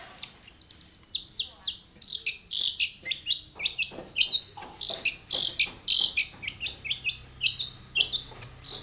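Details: Long-tailed shrike in energetic, varied song used to prompt other shrikes to answer: a continuous rapid chatter of harsh, high, downward-slurred notes, nearly two per second, loud and unbroken.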